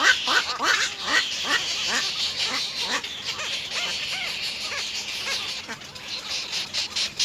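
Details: Little egret nestlings, three of them, pestering their mother for food at the nest: rapid, rasping chattering notes, about two per second and loosely spaced, fading toward the end, with a constant shrill buzzing in the background.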